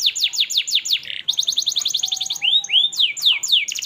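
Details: Persistently singing canary with melodious phrasing, serving as master song for young canaries: rapid descending sweeps, a brief buzzy burst, an even run of repeated notes, then slower arched whistles and more sweeping notes.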